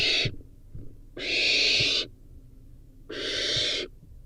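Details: Young barn owl eating a rodent: hoarse, hissing screeches roughly every two seconds, each close to a second long, faint taps between.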